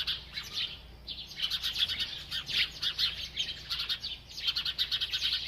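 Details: In a village, sparrows chatter while playing and bathing, captured naturally without editing; nearly continuous busy high chirping in dense pulsing bursts, with a short pause near the start.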